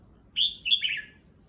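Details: Caged red-whiskered bulbul settling into a new cage at a new place gives one short, bright two-part phrase: a sharp high chirp, then a quick warbled note sliding downward, then quiet.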